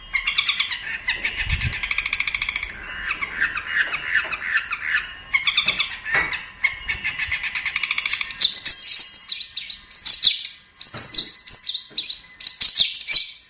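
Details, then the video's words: Long-tailed shrike song used as a training master: varied phrases of rattling trills and harsh mid-pitched chatter, then a livelier stretch of high, squeaky, twittering notes in rapid bursts. "MASTER BURUNG CENDET"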